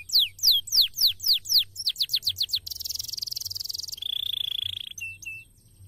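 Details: Canary in a cassava garden gives loud downslurred whistles that speed up into a rapid series, then a high buzzy trill and a lower steady rattling roll, ending in a couple of soft notes.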